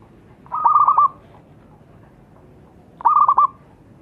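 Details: Zebra dove singing, recorded as a lure to draw other birds into song: two clear bursts of rapid rolling coo notes about two and a half seconds apart, otherwise quiet.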